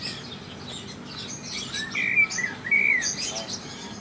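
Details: An Ayam Cemani chicken at a wildlife park in Jaderberg, Germany, gives a few thin, high, arched peeps over about two seconds, each rising then falling, against a soft hiss of background noise.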